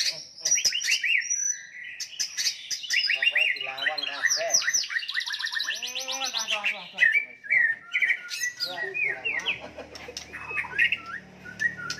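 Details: Fighting song of a White-rumped shama, used to provoke and anger rival birds: dense stream of fast chirps, buzzy trills and swooping whistled notes, with faint low background rumble toward the end.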